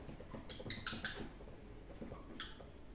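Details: A one-year-old pet male Superb parrot talks to himself in front of a mirror. He gives a short run of squeaky, chattering notes, then one more squeak a second later, over soft low tapping and rustling.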